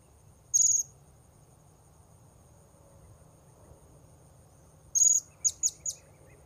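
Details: Blue-crowned hanging parrot calls used for luring wild birds: short high shrill notes, one single then a burst of three or four quick sharp chirps near the end, over quiet background hum.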